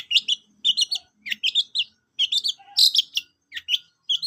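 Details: ['Long-tailed shrike song of quick twittering phrases, chattering squeaks and short chirps grouped in bursts with brief pauses between.']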